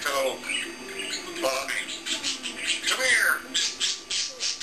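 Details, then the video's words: African grey parrot, a pet left alone in a room, giving a harsh squawk among rapid clicking and mimicked speech-like chatter, with one short whistled upward note. "The African Grey Parrot Burps and Talks"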